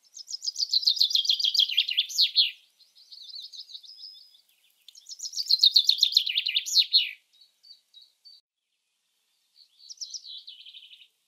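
A Common Chaffinch sings two bright, descending rattling phrases, each about two seconds long and ending in a quick flourish, with softer high notes between.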